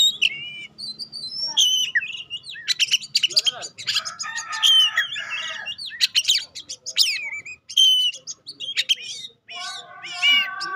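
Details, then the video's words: Oriental magpie-robin of the kacer pastol kind, sung to test and provoke other magpie-robins: long, varied medley of whistles, harsh chatters, buzzy notes and high chirps, loud and continuous. "Tes Kacer Anda dengan Kacer Pastol Ini. Semakin lama makin Panas"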